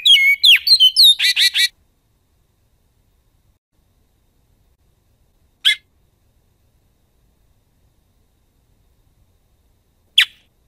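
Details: Great-billed seed finch singing in the Goiano song style: a quick opening phrase of about ten bright, whistled and warbled notes lasting under two seconds, then two lone sharp high notes about four seconds apart amid silence.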